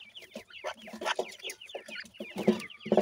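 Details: Feeding teetar (francolin) chicks give a busy stream of brief, high, slurred peeps, about two per second, over soft lower clucking notes and scattered tapping.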